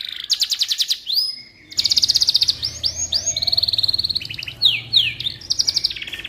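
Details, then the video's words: Canary singing for magpie-robin tutoring: a rapid trill, brief pause, then a loud buzzing roll, arching whistled notes and descending slurs, with a low background hum. "Suara Burung Kenari Cocok Untuk Masteran Burung Murai Batu"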